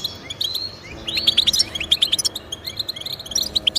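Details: European goldfinch song for motivating kept goldfinches: scattered bright chirps building into a quick run of ringing twitters, followed by spaced tinkling notes.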